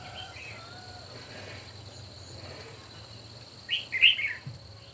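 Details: Red-whiskered bulbul singing contest at morning: after a quiet stretch, a lively rippling phrase of several quick whistled notes bursts out near the end over a persistent high whine.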